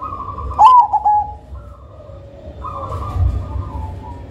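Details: Black zebra dove of the Cemani Majapahit strain, praised for a thick, loud and soothing rhythm and used as a lure: one loud run of quick coo notes near the start, then soft steady tones over background hum.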